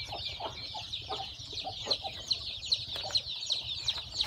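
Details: On a farm where a hen has hatched eggs, newborn chicks keep up a steady stream of shrill, high peeps. A few louder, sharper chirps stand out about every half second near the end.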